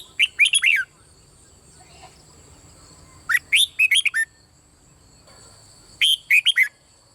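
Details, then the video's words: Three rapid phrases from a red-whiskered bulbul singing the Thai 'bernle' style, about every three seconds; each is a burst of four or five clear whistles, bouncing up and dipping low at the end. "เสียงนกกรงหัวจุกเบิ้ล ร้องริก เปิดให้นกฟังยั่วนกดีมาก"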